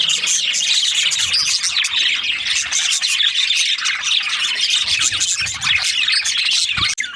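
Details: Budgerigars in breeding season, a dense flock chirping and chattering nonstop: shrill, scratchy warbles and squeaks overlapping throughout with no pauses.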